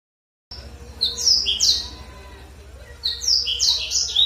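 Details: Black-throated canary lure song, played to stir a captive bird into singing. After a brief silence come two bursts of quick, bright chirped notes that slide downward, with a quieter pause between them and a low steady hum underneath.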